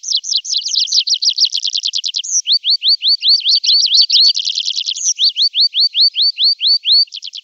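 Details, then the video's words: Tree pipit singing in summer: rapid series of high, sharp repeated notes that switch abruptly between phrase types, from fast clipped chips to slower upslurred whistles, each series a second or two long, with no other sounds. "Prispolone canto richiamo"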